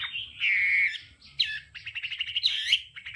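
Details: Voice-training song of a hwamei in the 'đảo âm' manner: a long held whistle, then rapid repeated chirping notes and bright rising slurs, over a faint low hum.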